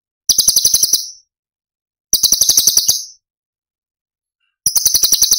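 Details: Cucak cungkok delivering tembakan phrases for songbird training: three short high chattering trills of fast clicking pulses, each under a second long and separated by quiet gaps.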